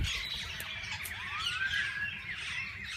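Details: Parakeets of various kinds in a walk-in aviary where people feed them by hand; constant chattering with one clear rising whistled note in the middle, over low background hum.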